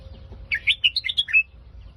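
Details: Red-whiskered bulbul, a cage bird singing in the Phetchaburi song style: one quick warbled phrase of about eight bright, bubbly whistled notes rising and falling, lasting roughly a second, over faint low hum.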